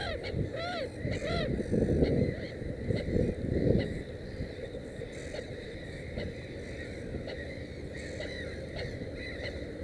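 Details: Black-headed gull at a nest holding three chicks; a burst of loud, harsh arched calls in the first seconds, then quieter scattered calls over continuous low-pitched rumble.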